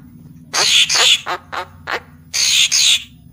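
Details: Papuan magpie-robin lure sound: two harsh rasping bursts, a few short sharp downslurred notes, then two more harsh rasps.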